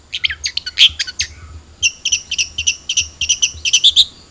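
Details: Long-tailed shrike (cendet trotol) song to get a captive bird singing: busy mix of high chirps, then a quick run of sharp repeated notes and whistled imitations, over a constant high whine.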